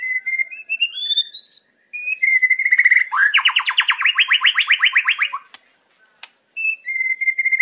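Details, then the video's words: Wild white-rumped shama singing, recorded for training captive birds: clear whistled notes that step upward in pitch, then a fast, rattling run of repeated notes, a brief pause, and more steady whistles. "Suara Murai Batu Alam liar Jernih"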